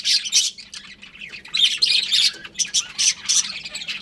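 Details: Breeding pair of budgerigars kept as pets, giving harsh, scratchy squawks and chirps in rapid bursts, several overlapping, with short pauses between, over a faint steady low hum.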